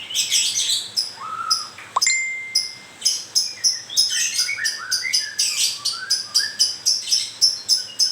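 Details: Moulting white-rumped shama singing a fast series of rasping, chattering bursts with low whistled slurs beneath. A clear, sustained ringing tone cuts in early, then the rapid scratchy phrases continue steadily.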